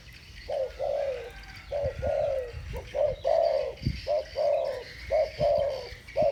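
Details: Two spotted doves trade thổ bầu style coos, each a short note followed by a longer downward-sliding one, in a quick irregular series, with a few low thuds and faint background chirps.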